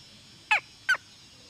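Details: Red junglefowl hen calling: two short, harsh, harmonic notes that slide downward, about 0.4 seconds apart, over a faint steady background hum.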